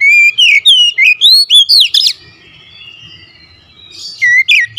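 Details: Oriental magpie-robin singing agitatedly and fiercely: a rapid run of loud whistled notes, some rising, some sweeping, then a pause with faint low rumble before a few more sharp whistles.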